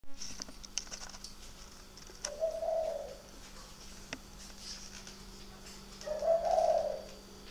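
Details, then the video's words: Spotted dove cooing at night at a bird farm in Ba Vì, Hanoi, northern Vietnam: two low, soft, mellow coo phrases about four seconds apart, over a steady electrical hum and faint clicks. "chim gay đêm"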